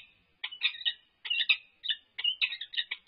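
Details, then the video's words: Peregrine falcons, a resident pair on the UC Berkeley campus, during a courtship display: harsh, chattering calls in short bursts, high and raspy, several clusters of rapid notes separated by brief pauses. "Annie and Grinnell Courtship Display"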